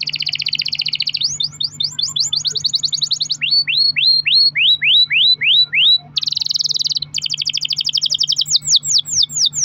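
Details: Pet canary in full long-rolling song used as a lure to make other canaries sing: fast buzzy trills alternating with repeated rising and falling whistled sweeps, tours changing every second or two, steady low hum beneath.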